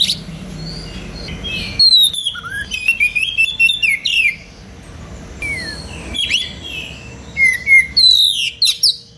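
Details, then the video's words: Oriental magpie-robin singing nonstop in a dense, sharp cengkok rapat style, recorded as a tutor track for training other birds: bursts of varied whistles, sliding notes and quick chirps separated by short pauses, over a faint steady hum. "Kacer gacor cengkok rapat pedas untuk masteran"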